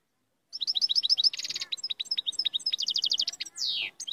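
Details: Moroccan royal goldfinch singing energetically: quick repeated chirps, a brief buzzy rattle, more rippling twitters, and a long downslurred buzz before a final chirp.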